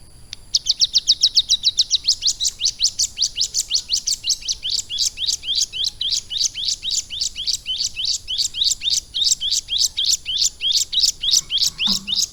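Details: Bar-winged Prinia, kept in a cage and schooled for three months on lovebird song, sings steady upslurred high notes about twice per second, each a short rising sweep, over a quiet background.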